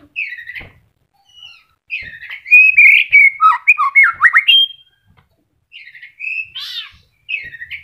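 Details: A kept white-rumped shama just starting to moult gives melodious song: soft whistled openers, then a loud flowing phrase of warbles and rapid downslurred notes, a pause, and a short grating note among further whistles.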